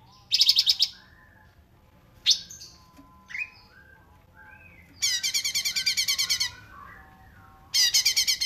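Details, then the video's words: Cungkok filler song used to train kept songbirds: a rapid note burst, scattered squeaks and faint twitters, then a long run of harsh repeated notes and a closing burst. "CUNGKOK RAPAT JEDA"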